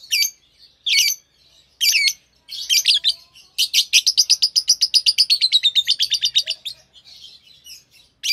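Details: Singing from a green Fischer's lovebird pair: a few separate sharp chirps, then a long rapid run of evenly repeated high twittering notes lasting about three seconds.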